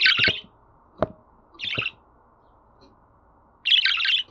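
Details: Budgerigar chatter played for pet birds: a scratchy warbled burst, a single click, a softer warble, silence, then another long scratchy chattering burst at the close.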